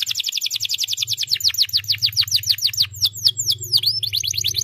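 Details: Canary song to encourage a quiet canary to sing: steady run of high descending chirps shifting into looping whistled notes and back to quick trills, over a constant low hum.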